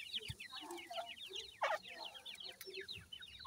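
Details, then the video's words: Grey francolin parent with its chicks: dense, rapid chatter of short, high, downslurred cheeps, with soft, low clucks underneath and a few sharp knocks. "grey francolin teeter and chicks,dakhni titer k baby"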